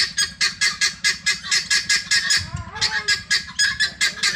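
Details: Free-range helmeted guineafowl searching for feed give harsh, rasping calls repeated rapidly, about four a second, over a low steady rumble, with a brief lower tonal note midway. Helmeted guineafowl.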